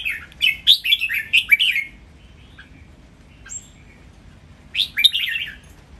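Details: Caged red-whiskered bulbuls, three birds in a singing contest, give a lively training song with counted phrases in the master style: a quick burst of bright, warbling, rising and falling notes, a pause with a soft thin whistle, then another short phrase.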